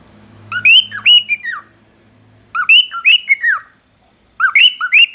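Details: Singing cockatiels repeat the same phrase three times: a quick series of upswept whistles followed by falling slurred notes, each phrase about a second long with short silences between, faint low hum underneath.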